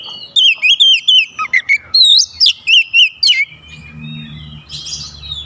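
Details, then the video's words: Kacer, oriental magpie-robin, challenging a rival: a rapid string of about a dozen clear, wavering whistles and sweet slurred notes, ending with faint background noise and a low hum. "PANCINGAN KACER LANGSUNG GERTAK LAWAN | LAWAN PUN BALAS GERTAK"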